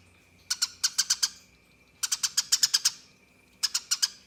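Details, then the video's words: Eurasian tree sparrow giving its rolling fighting song, used as tutor audio for contest birds: rapid bursts of bright, high chirps, five to nine notes per burst, about a second apart, over a faint steady background tone. "Tembakan Gereja Tarung Ngeroll Abis"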